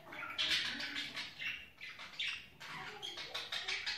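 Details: Budgerigar chattering during the mating season, a run of harsh squawky bursts and bright high chirps packed closely together, rising and falling in loudness with short gaps.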